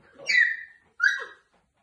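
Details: A pet grey parrot, a keen talker perched up high, gives two clear, speech-like syllables, the first longer and sliding downward, the second short and bright, in a quiet indoor room.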